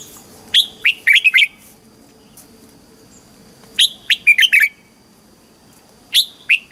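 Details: Caged red-whiskered bulbul, southern master-style song meant to stimulate birds and train young: crisp whistled note clusters arriving every two to three seconds, each a tumbling run of sharp chirps, quiet low hum between.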